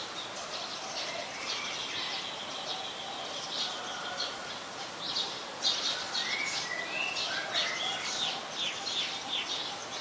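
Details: Oriental magpie-robin song in Ubon Ratchathani, Thailand, 3 February 2023, a very common resident, captured on a Nikon P1000: short clear whistles rising and falling among a dense chatter of high, scratchy chirps from other birds.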